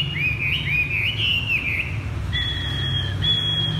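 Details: Chinese hwamei kept as a cage bird, pouring out looping whistled phrases that swoop up and down for two seconds in its 'thắt cổ chai' song style, followed by a thin, flat sustained whistle.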